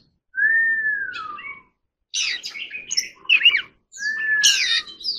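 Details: Forest-voice song of an Oriental magpie-robin under training, opening with a long drawn-out descending whistle, then scratchy chattering notes and another long falling whistle, with a faint low murmur underneath.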